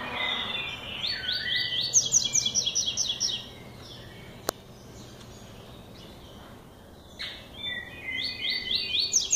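A young double-collared seedeater sings rapid, bright, buzzy repeated notes in two bursts separated by a few seconds of quiet, over faint background hiss.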